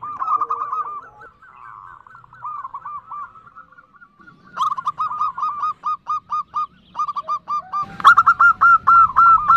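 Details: A female zebra dove gives the nutut call to attract a male: soft trilled coos first, then crisp, separate hooked notes repeated about four times a second, ending in louder quick bursts.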